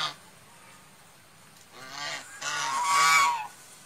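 A swan gives three nasal, bugling honks in quick succession, each with a slight upward lift and the last the loudest and longest, over quiet background hiss.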